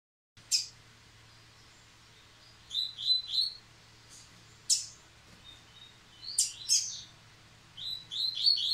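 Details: A captive Yellow-bellied Seedeater, singing again after its moult, gives short bursts of high, quick, twittering chirps in a few spaced phrases; sharp clicks and a low indoor hum are also heard.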